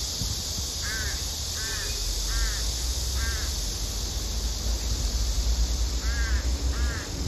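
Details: Hungry female crow begs her mate for food with a series of four evenly spaced, short, wavering caws, a pause, then two more, amid continuous high hiss and low rumble.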